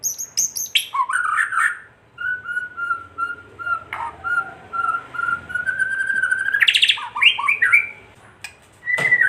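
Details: White-rumped shama song used to provoke other shamas into singing and agitation: loud varied phrases opening with high sharp notes, then a long run of steady repeated whistles, rising into rapid chattering trills and ending on a bright whistled note.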